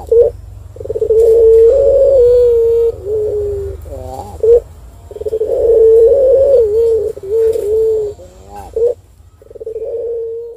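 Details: Turtle dove calling, used as a lure recording to get other birds to call: long, low, steady rolling coos lasting up to two seconds, with short breaks between them, and a faint hum underneath.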